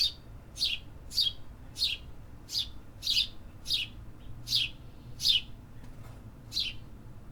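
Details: Chirping city birds in an urban area: eleven loud, sharp downslurred chirps repeated steadily about every 0.6 seconds against a quiet low hum.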